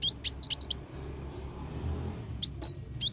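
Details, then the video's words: Kolibri wulung sunbird singing, as a master recording for training songbirds: a quick burst of five high, sharp twittering notes, a pause, then several more thin slurred chirps. Quiet background hum. "suara burung kolibri wulung sangat cocok buat masteran"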